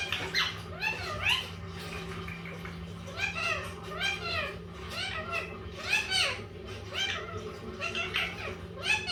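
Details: Indoors, a pet Indian ringneck parakeet of a green-yellow mutation talks steadily, giving arched, childlike speech-like syllables in quick succession, about one per second, with a constant low electrical hum behind.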